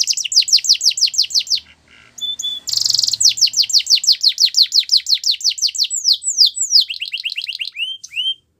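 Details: Singing canary for song training: rapid repeated descending notes, a short break with a flat whistle and a burst of rolling trill, then more fast downward notes and upswept chirps before ending.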